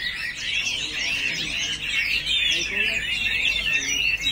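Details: A male Chinese hwamei pours out continuous fluid warbling, with twisting whistled notes tumbling one after another and no gaps.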